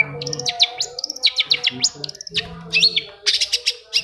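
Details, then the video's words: Long-tailed shrike song used as a lure to get silent shrikes singing again: a rapid jumble of sharp, high, steeply slurred whistles and chattering notes, with brief low humming underneath. "SUARA CENDET INI BISA MERANGSANG CENDET MACET JADI RAJIN BUNYI PAGI SIANG MALAM!!!"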